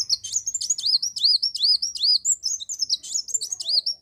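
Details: Olive-backed sunbird in full song, used to lure other birds into singing: a continuous, rapid stream of very high, thin twittering notes and looping chirps, densely packed with no pauses across the whole stretch.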